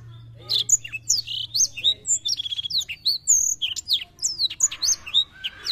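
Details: Black-throated canary singing energetically, as a recording to stimulate young birds' song. Rapid sequences of high, clear whistled notes and short buzzy trills, densely packed, with a faint low hum underneath.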